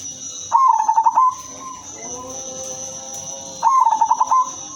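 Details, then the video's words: Female zebra dove of silver colour, kept to lure other doves. Delivers two rolling, pulsed coo phrases about three seconds apart, with soft lower tones between them and a steady high whine behind. "perkutut/merbok betina silver suara merdu paling cocok jadi pancingan semua jenis perkutut"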